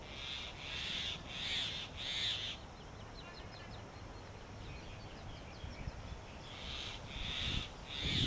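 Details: Male Grey Hornbill bringing food to the female walled into her mud-caked nest cavity in Delhi during summer. Four harsh squeals sound at the start, then a quieter stretch with faint chatter, and loud squeals resume near the end.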